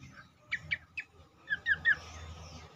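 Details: Cingcoang song used as a singing lure: three sharp chirps, a pause, then three short downslurred whistles, with faint hum and hiss behind.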